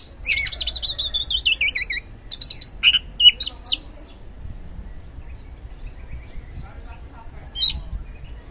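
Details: Oriental magpie-robin lure song for prompting a reluctant kacer to sing: about four seconds of varied whistles, wavering trills and sharp notes, then near silence with one last short high note.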